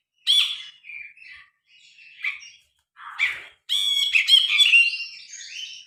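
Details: Grey-cheeked bulbul, recorded by phone, giving a sharp harsh note, several soft short calls with gaps, then a loud rich burst of chattering and slurred whistled notes.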